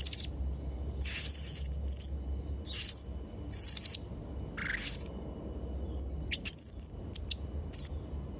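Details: High, piercing notes and buzzy chirps from a Blue-crowned hanging parrot, repeated about once a second with a steady whistle and a lower rasping note mid-clip, over soft background rumble; used for tutoring young birds.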